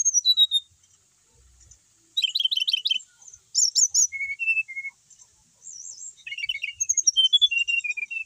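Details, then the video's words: A brown-chested jungle flycatcher from Bali, a settled cage bird singing tirelessly, gives falling whistles, fast high trills, and looping slurred phrases, ending with a rapid stream of descending notes. "mau di apain aja tetap gacor,sikatan rimba dada coklat bali"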